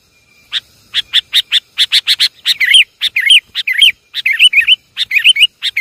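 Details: Lure call of sooty-headed bulbul: rapid series of sharp, clipped chips nearly twice a second, mixed from midway with bubbly, gurgling whistled phrases that dip and rise, all loud against a quiet background.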